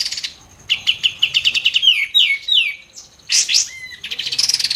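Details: Rapid, densely packed White-eared bulbul song used to train songbirds: a fast trill of short pulses, then three downward-slurred sharp whistles, a loud buzzy burst and a steady whistled note, closing with more quick pulses.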